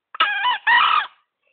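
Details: Green junglefowl, a tame bird caught by luring in Gunungkidul and cared for three months, crows once: a loud, hoarse, harmonic two-part call, a flat first syllable then a longer falling second, about one second in total.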